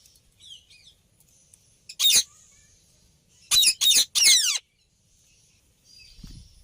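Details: Rose-ringed parakeet giving loud, harsh screeches: one single burst, then a rapid run of three, the last sliding downward; faint warbling chirps from another bird early on.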